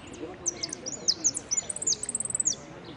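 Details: Jilguero finch entered in the 'amarillo sin cierre' category at a Piran singing contest, 25 September 2016: a rapid run of high, thin chirps and sliding notes, close together, then a quick trilled series, with crowd murmur behind.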